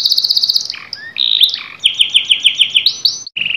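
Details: Canary singing: a rapid high trill, a brief buzzy phrase, then a series of repeated downward-swooping whistled notes about five per second, ending in a rising sweep and a short buzzy roll.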